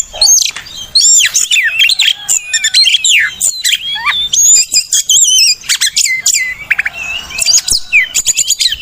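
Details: Oriental magpie-robin song used to lure and tutor silent or moulting caged birds: energetic, varied stream of looping whistles, downslurred notes and crisp clicking bursts with few pauses.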